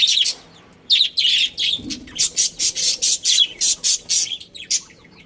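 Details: Budgerigars in a breeding colony chirping: a run of short, bright, buzzy chirps after a brief opening note, about a dozen bursts repeated roughly every quarter second.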